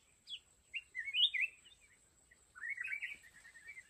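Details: A trapping decoy red-whiskered bulbul gives a falling note, then swooping warbled whistles and a trailing series of quick repeated chips, with light background rustle and a faint steady high whine.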